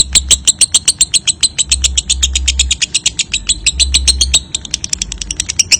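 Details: High, harsh lovebird ngekek trill running on at a fast, even pace, a lure meant to make young paud/balibu lovebirds trill busily with short gaps; intermittent low rumbling noise behind.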